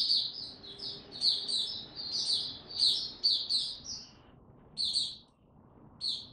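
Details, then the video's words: White-eye song recorded 26 March 2022, warm and very humid. Bursts of sharp, high chirps stop after about four seconds, then return in short phrases over a steady background hiss. "Mata Puteh Hercules buka sing warm n very humid weather"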